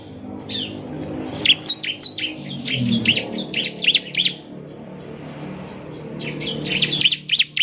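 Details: Bar-winged prinia song used to coax a caged bird into singing: irregular high sharp chirps over a noisy, humming background with low rumble throughout.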